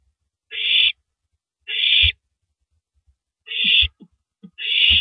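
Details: At 3:33 AM on April 9, 2012, an owl rips apart a big rabbit and finally swallows it; four coarse, hissy screeches in uneven spacing, mixed with soft thuds of feeding.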